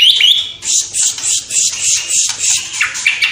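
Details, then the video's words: White-rumped shama singing energetically, its song filled with copied calls of sparrow, fighting lovebird and kapas tembak, Cililin: a brief whistled upslur, then a rapid run of high buzzy chirps repeated about every quarter second. "Murai Batu Gacor Isian Gereja Tarung Love Bird Kapas Tembak Cililin"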